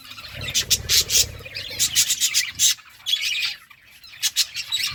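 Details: Birds chirping while eating food: dense bursts of high, scratchy chirps and squawky chatter come in quick clusters, with low muffled thumps underneath during the first second and a half.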